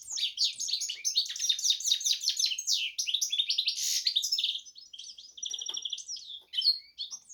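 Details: Goldfinch x canary hybrid in full song: rapid high twittering trills for about five seconds, followed by softer rattled phrases and scattered chirps.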